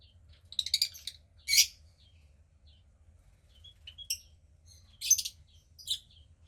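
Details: About 15 days old, a female cockatiel chick from the second hatch of a pied pair makes harsh, scratchy, high squawk bursts in short clusters, separated by faint thin peeps and brief silences.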